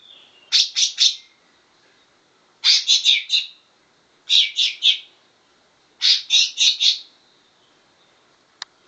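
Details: Trained greater green leafbird delivering bulbul-style phrases copied from cucak jenggot: four quick groups of three to four sharp, bright notes about every one and a half seconds, ending with a single click.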